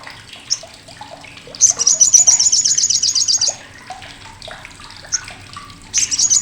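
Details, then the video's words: Olive-backed sunbird giving its loud, harsh, sharp chatter, used as a tutor sound for contest songbirds: a fast, high, buzzy trill of evenly repeated notes lasting about two seconds, with scattered lower chirps and a watery background. "CRECETAN SOGOK ONTONG"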